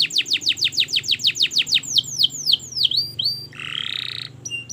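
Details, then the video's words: Canary song on a long practice recording meant to tutor young canaries learning to sing: about ten rapid descending whistled sweeps, then slower swooping notes, ending in a buzzy rattling trill and a few short high notes. "Masteran Kenari Gacor Panjang‼️Cocok Untuk Pancingan Kenari Belajar Bunyi dan Macet Bunyi"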